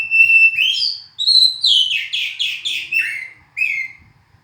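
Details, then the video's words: Oriental magpie-robin in full song: a sustained whistle, then rising and falling whistled notes leading into a run of about five quick descending buzzy notes, ending with a short clear whistle, clean and loud. "kicauan burung hitam putih(kacer)"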